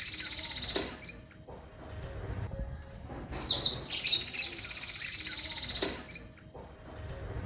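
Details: Violet cuckoo song used as a tutoring recording for songbird keepers: loud, very high, rapidly pulsed trills lasting about two and a half seconds each, with a softer trill at the start and low background rumble between phrases.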